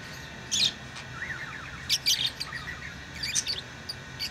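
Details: Pet lovebirds chirping: short bright bursts near 0.6, 2 and 3.3 seconds, with softer warbled twitters between them over a steady low hum.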